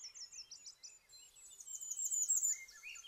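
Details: Bay-breasted Warbler in boreal forest of Maine, singing on territory while preening: a thin, very high series of quick repeated notes rising in loudness, with lower slurred notes from other birds underneath.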